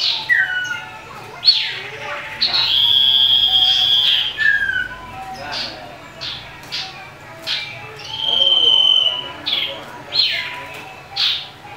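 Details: Common iora singing aggressively to provoke rivals: a varied mix of sustained whistles, quick down-slurred notes and sharp chips, rising and falling in loudness over a noisy background.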